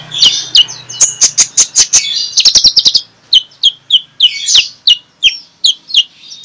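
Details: Magpie-robin singing in the morning in clear 'ngeplong' style as a lure for sluggish birds: quick runs of sharp clicking notes, then a series of evenly spaced sweet, falling whistled phrases.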